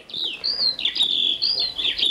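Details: Eurasian skylark (Alauda arvensis), a bird of open fields, singing a high, continuous stream of rapid warbling and trilled notes with quick rising and falling slurs, unbroken for the whole phrase.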